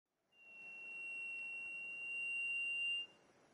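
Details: Black-and-gold cotinga, locally called saudade, recorded in 2004 in Serra do Mar State Park, Núcleo Cunha, Brazil: one long, pure, steady whistle holding a single high pitch for almost three seconds, then stopping abruptly over faint background hiss.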